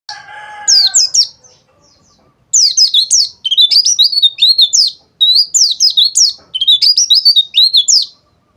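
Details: White-eye in the dakbal song style, used as therapy to get other white-eyes singing. A short harsh burst opens, then rapid bursts of high, thin, twittering notes come in quick strings separated by brief pauses.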